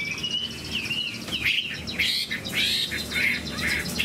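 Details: Chinese hwamei in moult, with a large, handsome build, singing high: a string of loud, clear whistled phrases with slurred rising and falling notes, varied and fairly continuous, over a faint low background hum.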